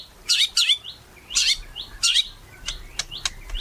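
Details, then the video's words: White-rumped shama singing steadily, used as a lure to prompt shamas to sing: short dense buzzy bursts and high chips repeated about every half second to second, with brief whistled upslurs between them. "Murai Batu Gacor | AMPUH buat PANCINGAN Murai Batu Agar Bunyi"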